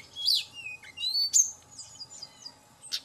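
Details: A Hill Blue Flycatcher song used as a lure to provoke other birds: quick, bright whistled phrases sweeping up and down, with sharp high notes between them, over a faint steady hum.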